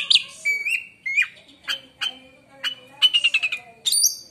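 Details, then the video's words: White-rumped shama song said to make other shamas go quiet: varied whistled notes and sliding tones, a quick run of repeated chips, then a high clear whistle. "kacer lain di jamin langsung diam bila denger suara kacer ini"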